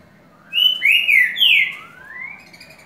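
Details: Green-winged saltator singing the song type called "curricutil com boi" (boiadeiro): three loud, rich, slurred whistles in quick succession, then a softer rising whistle.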